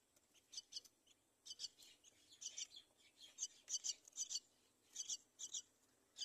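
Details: At the side of the nest a mother myna and her chick: bursts of shrill, scratchy chirps in quick clusters, irregular and busy, rising in loudness midway, over faint steady hiss.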